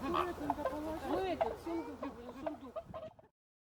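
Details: Greater flamingos held in captivity, shifting to a winter enclosure, keep up a busy stream of short honking and grunting calls from several birds, ending abruptly after about three seconds.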